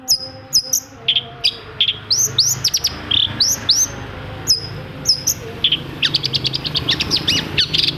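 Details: Lure song of a long-tailed shrike, played to stimulate silent shrikes: very high, thin whistled slurs and short chips in loose clusters, then a quick run of rapid ticking notes near the end, with a low background hum.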